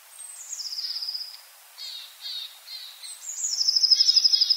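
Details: Long-tailed tit at a yard in Joroinen, Finland, giving shrill buzzy trills that dip down at the start. Shorter rattling notes come between them, and a long, pulsing trill at the end grows louder.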